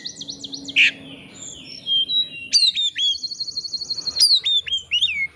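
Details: Oriental magpie-robin singing to find a rival, a lure for other magpie-robins: a series of rising whistled notes, a harsh burst, then a long high buzzing rattle and repeated sharp downslurred whistles.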